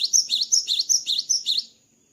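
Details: Gelatik batu, the cinereous tit, after its moult, giving a short burst of bright, rapidly alternating high notes, seven or eight quick phrases in under two seconds before fading into quiet.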